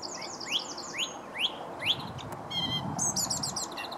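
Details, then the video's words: A song thrush sings by the towpath near Stoke Lock on the River Wey, Guildford: a clear rising whistled phrase four times in quick succession, then a rapid chattering phrase, over a low background rumble. "Song thrush sings"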